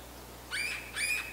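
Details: Yellow-bellied Sapsucker call, Quebec: two nasal, mewing squeals in quick succession, each harsh and slightly slurred, over a faint low hum.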